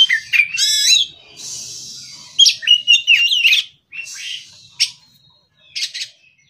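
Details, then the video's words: Morning song of an untrained Oriental magpie-robin: bright whistled slurs and buzzy chatter, then scattered short chirps with quiet gaps between phrases. "Kacer Bahan Absen Pagi"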